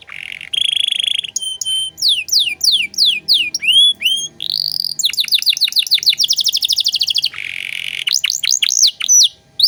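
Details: Canary tutor song in 'cengkok mewah' style: a buzzy opening roll, swooping downslurs, a sustained piping whistle, then a long fast staccato trill, a harsh buzz and rising squeaky notes.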